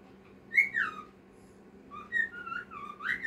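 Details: Cockatiel whistling a song: clear falling and rising whistled phrases, with pauses between them, in a quiet room.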